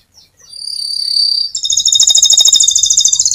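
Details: Vigorous canary song used to lure other canaries into singing: a clear, sustained high whistle, then a fast rolling trill of rapid, evenly repeated notes, clean and loud.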